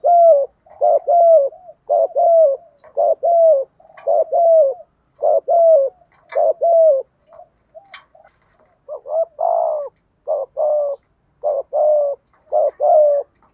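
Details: Spotted dove used as a decoy, cooing in a practiced style to stir wild doves into calling back. A steady run of paired, soft hooting coos roughly once a second, with a brief hesitation midway before the series resumes.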